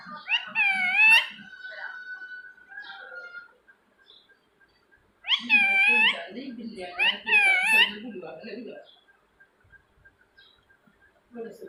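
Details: Pet rose-ringed parakeet indoors making repeated harsh, wavering rasping calls in two bursts near one and seven seconds, with a steady whistled tone between, and a person speaking softly in the background.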